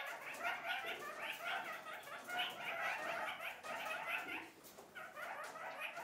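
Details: Kakariki flock communicating, one of its several daily choruses: continuous busy, nasal chattering notes in quick succession, loud and steady throughout, easing briefly near the end before resuming.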